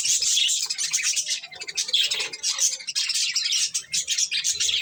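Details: Pet budgerigars feeding on corn fill the air with bright, dense twittering and squeaky chirps that swell and dip in loudness.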